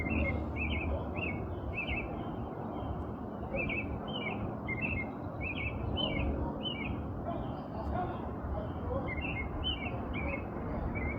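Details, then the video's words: Male American robin's evening song in Minnesota, USA, April 10, 2026, calling for a mate, possibly planning to nest under an awning: short, rich caroling phrases in bursts of two or three, over a low rumble of wind or traffic. "Robin is singing his evening serenade."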